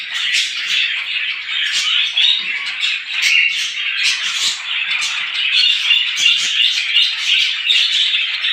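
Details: Crowded chirping of many small birds in the morning, quick high tweets repeated without break, busy and unrelenting throughout.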